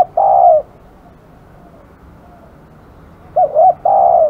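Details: Spotted dove described as fierce gives a long mellow coo, then after a pause of almost three seconds a phrase of two quick short coos leading into a sustained final coo.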